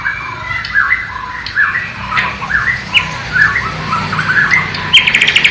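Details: White-rumped shama of Borneo, East Kalimantan, giving a sikatan londo (nightingale) imitation on a low-resolution camera. Varied rising and falling whistled phrases, squeaky and slurred, end in a quick burst of high repeated notes.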